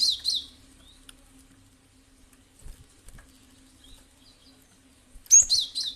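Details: Lure recording of a cinereous tit (gelatik batu) meant to trigger answering calls: a short cluster of high, buzzy chirps at the start, a long quiet stretch, then another rapid burst of sharp notes at the end.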